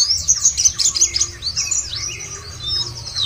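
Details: White-eye song used to draw caged birds into singing: sharp, high chips repeat rapidly at first, then give way to softer, looping warbles that fade slightly toward the end.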